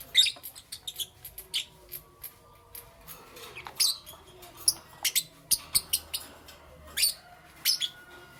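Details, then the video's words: Morning lovebird chirping, thin high squeaky notes given singly and in short quick strings, spaced irregularly through a quiet room. "Lovebirds Chirping Sounds"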